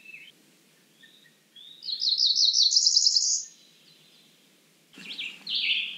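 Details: Cerulean warbler giving one accelerating phrase of buzzy notes that rises into a high trill, followed after a pause by a short burst of harsher, lower notes.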